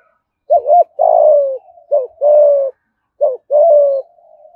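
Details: Spotted dove in Đồng Nai, Vietnam, repeating its 'thúc gù' coo in 'giọng thổ' voice three times in quick succession, every phrase a short doubled note leading into a longer, deep, level-to-falling coo.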